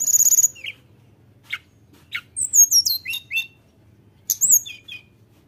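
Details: Tledekan gunung singing loudly to taunt rivals: an opening burst of piercing high notes, isolated sharp ticks, then a quick series of downslurred chips and squeaks.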